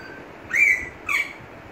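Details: Pet parrot, prompted by its owner who repeats a phrase to teach it to talk: two short bright squawky notes, the first slurred and longer, the second clipped, a half second apart, with the owner's voice before and after.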